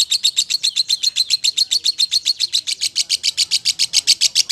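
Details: Champion lovebird singing a long unbroken series of sharp high chirps, about three to four per second, steady and evenly spaced throughout, with no other clear sounds.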